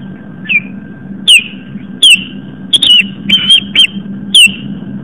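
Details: Osprey alarm from a Long Island, New York nest-cam as the mother drives an intruding osprey away in the evening: separate piercing, downslurred whistles, a few clipped double notes, with a low background hum.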